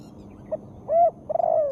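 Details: Female spotted dove calling to encourage lazy birds to sing; a short note, a smooth coo, then a longer vibrating coo that slowly falls, cut off at the end.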